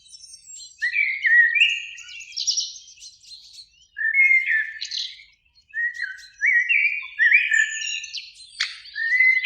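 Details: Two Eurasian blackbirds sing in a springtime beech by a lake at dusk; heard here as bursts of melodious fluted warbling every couple of seconds, each closing in sharp high twitters.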